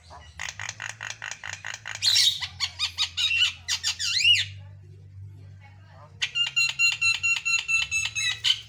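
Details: Jalak kebo mata putih, a white-eyed Javan myna in full song: rapid repeated rasping notes, a harsh squawk, whistled up-and-down slurs, a pause, then a long series of metallic ringing notes.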